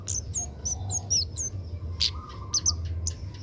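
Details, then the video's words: Young Oriental magpie-robin in training to sing: a quick series of short high whistled notes, then sharp clicks and chirps, with a low hum beneath. "burung kemade muda belajar bunyi"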